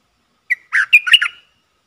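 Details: A caged decoy red-whiskered bulbul lures wild birds with a short cheerful phrase: a clean opening note, then quick liquid, whistled chirps, all within about a second and in a quiet setting.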